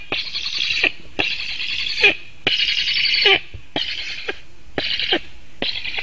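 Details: Webcam at a Latvian black stork nest, 7 August 2018, late morning: the chick begging for food from the returning father gives long harsh hissing rasps, six in quick succession, each nearly a second long.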